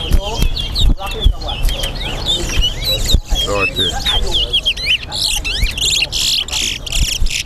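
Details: Chestnut-bellied seed finch, known as towa towa, in a Guyana singing contest, giving fast repeated whistled notes and fluttering trills that grow into buzzy bursts, while a crowd talks in the background.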